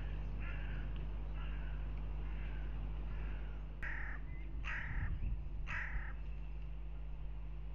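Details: Fighting hooded crows at a goshawk nest camera in Riga, Latvia, 10 April 2021: several faint distant caws, then three loud rasping caws in quick succession, with constant low humming underneath.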